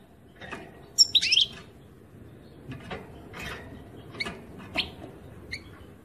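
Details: European goldfinch song: a brief tangle of high, bright twittering notes, then scattered single chirps spaced about half a second to a second apart over a low, steady background hum.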